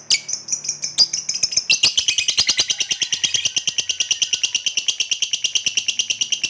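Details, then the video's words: Lovebird ngekek panjang from a lively fighter bird that sets others responding: a few squeaky notes, then a long, fast, unbroken chatter of about nine sharp notes a second, scratchy and buzzy. "Suara Lovebird Gacor ini, Banyak Lovebird Semula Diam Spontan Ikut Nyaut Bunyi Ngekek"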